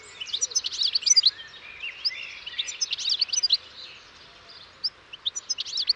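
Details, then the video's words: European goldfinch song: bursts of fast, bright twittering and tinkling notes, repeated in several phrases, with thin sliding whistles between them. "O canto do PINTASSILGO/GOLDFINCH SONG (Carduelis carduelis)"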